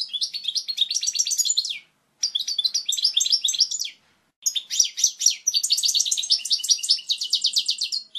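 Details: Goldfinch singing a strong, clear song meant for teaching young birds: three bursts of fast liquid twittering, high and jingling, each run of rapid notes separated by brief silences.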